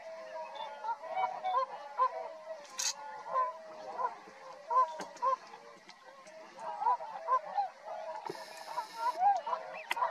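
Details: Flock of tundra swans at Rosedale and Munson, Drumheller, Alberta, Canada, giving many overlapping high honks, some rising and falling, in excited uneven bursts over a steady murmur of more distant calling; a short hiss near the end.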